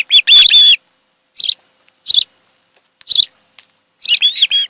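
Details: Osprey pair at their nest on Kent Island, Maryland, filmed by nest camera on a July afternoon; sharp, high whistled chirps come in short bursts, a longer squealing call opening and closing the sequence with quiet gaps between.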